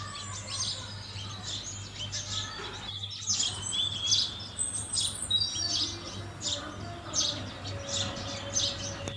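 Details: Chattering chirps from house sparrows at a food source, becoming denser after a short pause, mixed with high whistled notes and a steady low hum.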